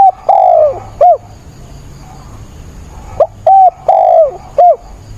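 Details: Decoy spotted dove cooing lustily through a 28 October rainstorm: two matching phrases about three seconds apart, each with a brief opening note, a long downward-sliding coo and a clipped final hoot, over a soft hiss.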